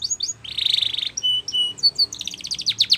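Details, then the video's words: Spanish Timbrado canary singing a training song: brief high whistles, a buzzy rattling trill, level whistled notes, then rapid downward-sweeping chirps near the end. "Canary's Most Powerful Song For Training"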